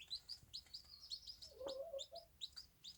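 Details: Bantam hen with her chicks on a small farm; rapid high downslurred peeps from the chicks repeat several times a second, with a brief lower soft murmur from the hen near the middle.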